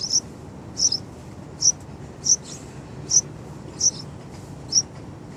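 Yellow-vented Bulbul chicks give thin, high, sharp chips, roughly one every three-quarters of a second, over a faint low background hum.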